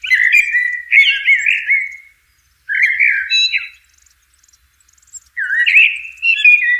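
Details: Blackbird singing in nature: rich, fluting whistled phrases around the mid range, each lasting over a second, with short pauses between and thin high twittering flourishes at the ends.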